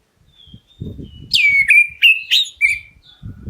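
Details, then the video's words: Black-breasted Oriental magpie-robin calling so other birds answer: a short burst of loud, piercing whistles dropping steeply in pitch, preceded by soft thin notes, with faint low thuds and handling noise around it. "KACER DADA HITAM MEMANGGIL, BURUNGMU LANGSUNG NYAUT!"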